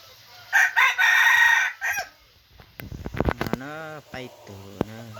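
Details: Second-generation (F2) junglefowl, described as very vigorous, gives a loud harsh crow of several broken bursts over about a second and a half. Quieter clucking and voice-like tones with clear stacked harmonics follow afterwards.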